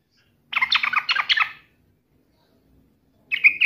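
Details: Provoked yellow-vented bulbul taunting a rival: a dense, throaty burst of jumbled chattering notes, a long silence, then a brief bright gurgle starting again.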